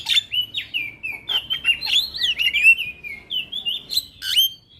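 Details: Javan myna (jalak kebo) song used as a lure and therapy recording to get a quiet bird singing: loud, fluid whistled phrases, rising and falling, strung together with short sharp chips and a few harsh buzzy notes.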